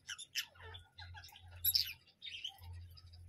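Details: Parrot calling in quick, high chirps and twittering notes, several rapid calls close together with a brief shrill peak, a low mains-like hum underneath throughout.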